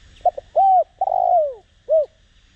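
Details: Spotted dove (cu đất) used as a decoy to provoke cooing, Đồng Rặc voice style: one clear phrase of two short staccato notes, a rounded coo, a long smoothly falling coo and a brief closing coo, recorded close and clean.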